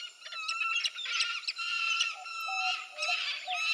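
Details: Peregrine falcon calling: a continuous series of harsh, wailing squawks, rich in overtones, rising and falling in loudness with short breaks about every second, over a faint lower steady tone.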